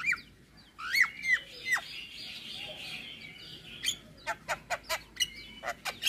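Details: Javan myna (jalak kebo) in full isian song: a few sharp downslurred whistles over a faint hiss, then a series of short clicking notes about twice a second.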